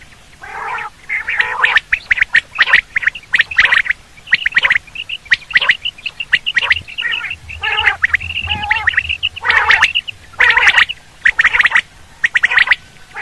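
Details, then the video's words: Quail sound used for hunting: long sequence of raspy, squawking bursts and chirps at about one per second, varying in loudness, with short silent gaps. "batair hunting quail sound"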